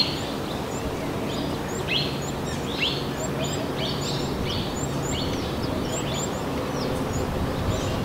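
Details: High, thin chirps from a small minivet in Narsapur forest, repeated roughly every half second in an uneven series, with a steady low background rumble.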